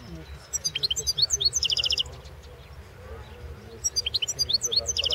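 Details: Competition song of a European goldfinch, entered in the 2016 world championship: two rapid bursts of high tinkling twitters and buzzy trills separated by a brief pause, with a steady low hum and murmuring voices behind.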